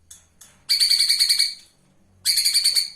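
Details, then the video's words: Live flowerpecker (konin) song recording used as training material for cage birds: very high, thin, rapidly pulsed trills in two bursts of under a second, after a couple of short sharp notes. "Cungkok Gacor"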